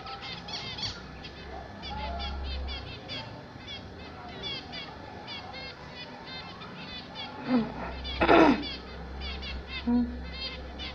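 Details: Household zebra finches sing a long run of repeated nasal beeps and buzzy trills, broken near the end by a loud, broad clattering noise and a few lower sounds.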